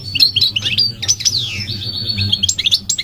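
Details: Migratory goldfinch song: high chirps and rapid twittering notes with one long sweeping descending whistle, a lively tumbling phrase over a low constant hum.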